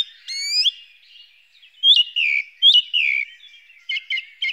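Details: Song thrush song with varied phrases: a rising whistled slur, then paired falling whistles repeated twice, ending in short clipped chirps.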